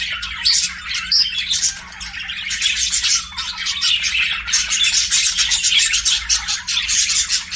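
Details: Budgerigars kept as pets sing a dense, scratchy warble of fast chirps and clicks, with a brief quieter dip midway before the chatter swells again, faint hum underneath.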